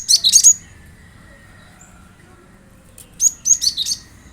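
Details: Cinereous tit song meant to get a kept bird singing along: two bursts of rapid, high, sharp chirps, one at the start and one after about three seconds of near silence, over a low steady hum.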